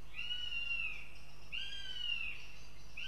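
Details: A young female northern goshawk at the nest in Riga, Latvia, gives two long, shrill, whistled wails that sag slightly at the end, followed by the start of a third, with a constant low background hum.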